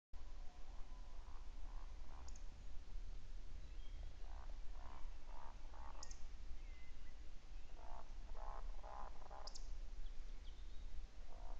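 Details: Eurasian woodcock (Scolopax rusticola) on 1 April 2019 at 20:32 in the evening gives short runs of low, soft croaking grunts, each followed by a sharp high squeak, every three to four seconds, over a steady low rumble.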